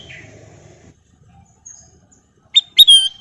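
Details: After soft low rumbling and a faint downslurred note, a golden bulbul gives one bright phrase: two crisp rising notes and a ringing whistle that falls away.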